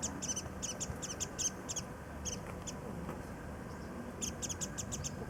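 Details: Nectar-feeding warbling white-eyes in early cherry blossoms at Kitago Station, Nichinan, Miyazaki, Japan; sharp high chips in irregular clusters, a lull mid-way, then a fresh quick series near the end.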